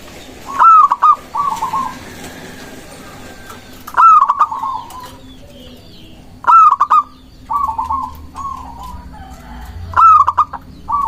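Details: Local zebra dove in full song, recorded as a lure to draw doves and provoke rivals: four bursts, each a sharp stuttering opening note followed by a rolling, bubbling coo trill, repeated roughly every three seconds over a low steady hum.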